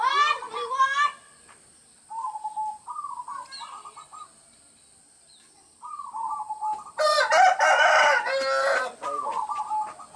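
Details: Local zebra dove singing in a rural village setting, recorded as a lure for trapping doves; short rolling cooing phrases broken into quick pulses, with gaps between phrases and a loud, harsh burst from another bird near the end.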